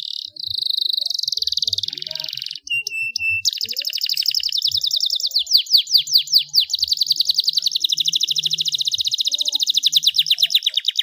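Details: Starblue panda canary in full gacor song: a high buzzy roll, then a short steady whistle, breaking into rapid sweeping trills and a long, even, fast rattle of repeated notes.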